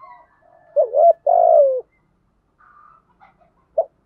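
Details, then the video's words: Spotted dove kept as a lure bird, cooing in the thúc gù style with a giọng thổ voice to stir wild doves into answering: a few low cooing notes, then one long note that gently falls away, with short pauses. "cu gáy mồi THÚC GÙ bài bản/ tiếng chim cu gáy kích thích bổi gáy theo và nổi rất lẹ"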